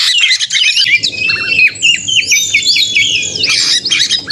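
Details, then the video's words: Male white-rumped shama, a caged contest bird, in an energetic fighting-style song used to provoke other birds: rapid, loud whistles, sharp upslurs and harsh squawky notes tumbling together high in pitch, with a faint low rumble underneath. "kacer gacor konslet narung ini AMPUH buat pancingan kacer agar bunyi"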